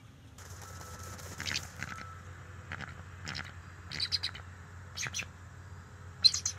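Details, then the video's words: Bald eagle at a nest on October 10, 2023, alerting as a visiting young male approaches: faint, thin chirps in short clusters over a steady low hum, ending in a sharper burst of squeaky notes. "Young Male ? Eagle Visits Three Times Alerting"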